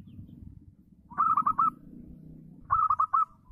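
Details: Local zebra dove in lively singing form, its song used to provoke rivals and coax other zebra doves into singing: two quick bursts of four clipped, rolling cooing notes at mid pitch, over a low background rumble.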